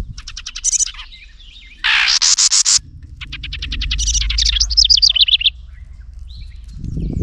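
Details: Close-range house wren defending its nest from a nearby GoPro Hero 9 Black: a quick high trill, a dense grating chatter burst, then more rapid pulsed trills rising and wavering, with faint low background rumble.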